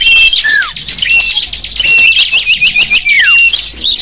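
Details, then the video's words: Chorus of small birds from a sapu jagat lure recording meant to attract wild small birds: dense, overlapping high chirps with sharp down-slurred whistles and rapid buzzy trills, with several loud falling notes near the start and end. "Suara kicau burung kecil sang burung sapu jagat"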